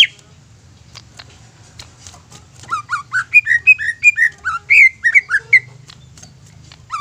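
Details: Greater green leafbird song played to provoke other birds; faint clicks at first, then a lively series of whistled slurred notes from about three seconds, ending in a few quieter whistles.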